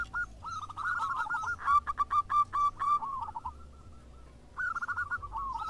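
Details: Zebra doves of a local strain answer each other. Rolling coo phrases give way to a loud, emphatic run of separate notes, then a faint pause before another bird resumes the purring series.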